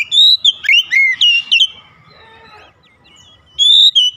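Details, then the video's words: Rhythmic calling song from an oriental magpie-robin: a fast series of loud whistled and slurred notes for over a second and a half, a quiet stretch, then more clear whistles at the close. "kicauan Kacer memanggil penuh irama"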